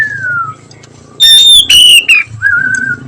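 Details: Oriental magpie-robin (Copsychus saularis) singing in the afternoon: clear whistled phrases, a falling whistle, then a loud burst of rich, high notes and a steady lower whistle.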